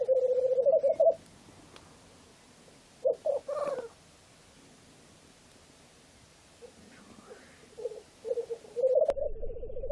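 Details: Black grouse (Lyrurus tetrix) giving low, bubbling, dove-like cooing in three rolling bursts, with a brief hissing note between them against a quiet background.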